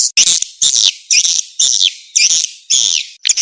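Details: Edible-nest swiftlet lure call meant to attract swiftlets: harsh, buzzy, rasping chirps, each about a third of a second long, repeated roughly twice a second.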